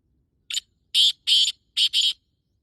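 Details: Male black francolin (kala teetar) giving its breeding call at 5:15 on 14 May 2024: a short harsh note, then two pairs of loud, rasping, grating notes over about a second and a half, with near silence behind.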